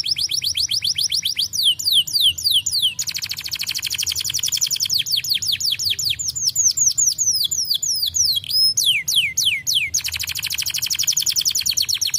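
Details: Canary song used to stimulate other birds to sing: long varied phrases alternating fast buzzy trills with series of falling whistled notes, plus a brief sustained whistle, continuous and loud.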